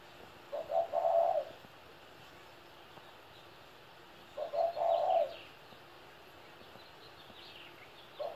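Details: Coo phrases of a 17-year-old spotted dove repeated about every four seconds, each a short note or two followed by a drawn-out tremulous coo, a third phrase beginning at the end; faint chirps in the background.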